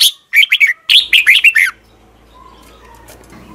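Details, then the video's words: Red-whiskered bulbul singing in the morning, a lure recording for training caged bulbuls: two quick phrases of bright, warbling, slurred notes, then fading into faint background hum and a soft distant whistle. "Luyện chào mào hót sáng"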